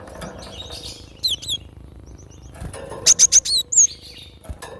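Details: Cinereous tit, given as a lure and tutor recording: a few high, thin notes, then a fast run of four bright, down-slurred whistles, with soft ticking and occasional thuds behind.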